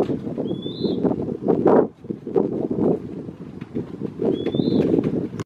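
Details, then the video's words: Western wood pewee at Lawrence E. Wood Picnic Area: two short, thin whistled notes, each rising then slurring slightly, about four seconds apart, over a steady low rumbling background noise. "Western Wood Pewee (Contopus sordidulus) Calling Singing"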